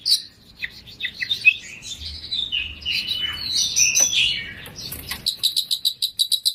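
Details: Oriental magpie-robin song with varied warbled fill-in phrases over a noisy background, ending in a rapid series of sharp, high, evenly repeated notes.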